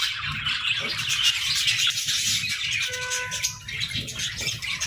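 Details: Within an aviary of playful budgerigars, a flock chatters in high, rapid twittering. A brief steady whistled tone stands out near the end over a low background rumble.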